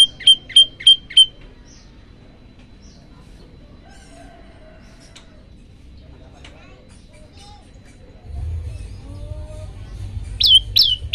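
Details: Olive-backed tailorbird song used as a tutor recording to set other birds singing: five sharp, loud chipping notes in quick succession, then a quiet stretch with faint background sounds and a low hum, and a few more notes at the end.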